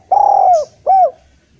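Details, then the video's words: Eurasian collared dove singing to draw spotted doves into song: one long level coo that falls at its end, followed after a short break by a briefer arched coo. "Derkuku gacor cocok untk memancing tekukur bahan yg malas bunyi"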